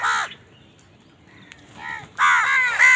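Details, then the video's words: Harsh crow caws from a house crow eating, with crows said to fight for food; one loud caw, a pause, then a burst of three overlapping raspy caws at the end. "Crow Bird Eating Scenes | Crow bird crowing sound part 88 | Bird Chirping Sound | Crow ki awaz"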